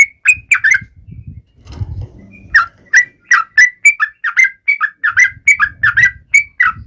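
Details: Yellow-vented bulbul taunting rivals: bright whistled chirps at the start, a pause filled with low rumbling noise, then a renewed quick sequence of slurred notes over soft background hum.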